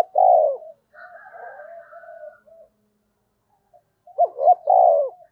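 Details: Spotted dove decoy bird calling in the 'thúc' and 'gáy gọi' style. A full low coo is followed by a quiet drawn-out wavering phrase with a faint higher overtone, then two quick hooked notes and another rolling coo.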